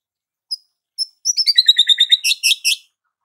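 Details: White-rumped shama singing: two isolated high pips, then a rapid stream of high, twittering notes repeated about three per second, ending in harsher chirps. Soft but clear, with nothing else audible.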